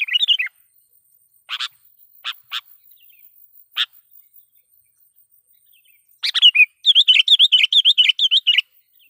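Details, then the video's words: Loud sooty-headed bulbul lure song meant to challenge wild rivals: a falling warble opens, then a few sparse clicks and short notes. A burst of chirps leads into a rapid, even string of bouncy notes near the end. "suara pikat KUTILANG GACOR /kutilang suara keras,membuat kutilang liar EMOSI"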